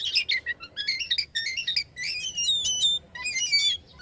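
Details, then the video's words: A captive black-winged myna sings a fast, unbroken run of chattering notes mixed with bright, high whistles and harsh squeaks. No other sounds are heard. "JALAK KAPAS IDAMAN....SELALU MENYENANGKAN TUANNYA...GACORRR TERUSS LOSS"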